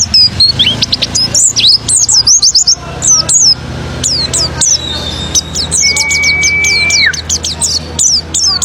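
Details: Oriental white-eye (pleci) song used as a lure to provoke other birds into full singing: dense bursts of very high, thin, rapid chirps and twittering notes, with a long steady whistle near the end and low hum beneath.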